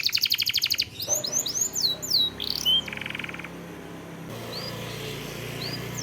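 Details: Canary song used as lure audio to trigger singing: a fast buzzy trill, then high sweeping whistled notes, a short flat rattle, and two faint upslurred notes after a drop in level.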